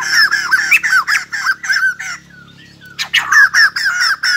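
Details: White-crested laughingthrush singing as it dances like a ballet dancer: a burst of quick harsh chattering notes, a brief lull with thin whistles, then another loud chattering burst.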